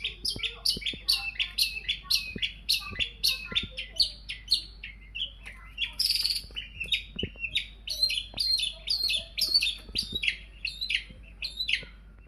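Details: Long-tailed shrike singing as a lure to set other birds off: a long, dense run of high, scratchy chattering notes delivered rapidly and without a break, with bright squeaks mixed in.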